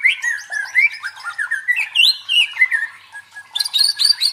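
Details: White-rumped shama song meant to provoke and train fighting birds: a flowing run of melodic rising and falling whistles, ending with a quick burst of high chattering notes.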